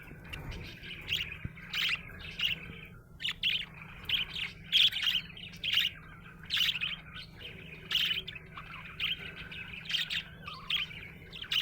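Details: Happy budgerigar chattering at length, a steady stream of scratchy warbles punctuated by frequent sharp squeaks, brief pause near the three-second mark, soft hum in the background.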